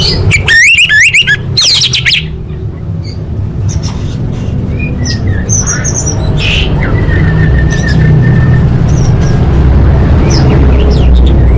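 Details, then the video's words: Orange-headed thrush training song for big competitions, full of varied fillers: loud bursts of sharp rising whistled notes early on, then scattered faint chirps over a steady low rumbling hum. "Masteran Anis Merah Full Isian untuk Lomba Besar & Latber Elite"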